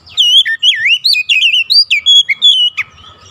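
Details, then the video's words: Kacer singing, played to trigger other magpie-robins to join in full song; fast string of bright, looping whistles and sharp slurred notes, about ten bursts, ending with a quick scratchy note and low background hum. "APAPUN JENIS KACER PASTI TERPANCING LANGSUNG IKUT GACOR"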